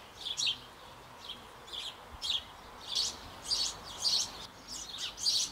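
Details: Sparrow family at a nest box hung on an old apple tree in Bavaria. Young close to leaving the nest are fed by both parents and give rough, scratchy chirps in irregular bursts that grow louder and closer together.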